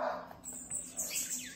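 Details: A bananaquit, stirred up during a street outing, gives thin, very high, hissing notes in quick bursts, ending with a few squeaky sweeping slurs, over a faint steady hum.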